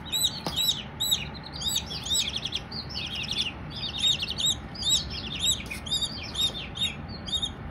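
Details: Several baby Silkie chicks peep continuously, bright arched high chirps coming in quick overlapping bursts about twice a second, against a faint steady hiss.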